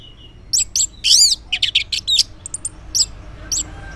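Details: Orange-headed thrush singing in the morning, used as a lure so silent males answer: a fast varied string of high chirps and warbled phrases with brief gaps between notes.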